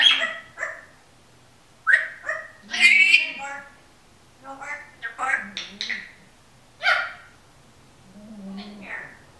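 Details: Pet female Timneh African grey parrot talking indoors in a run of speech-like syllables and short bursts, pausing between phrases and ending on a lower murmur, a faint low snoring drone behind.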